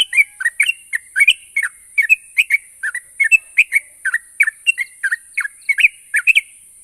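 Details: Continuous bulbul chatter from a yellow-vented bulbul, played to make stalled birds answer: rapid paired and tripled liquid chirps, roughly three per second, unbroken throughout, backed by a constant high hiss.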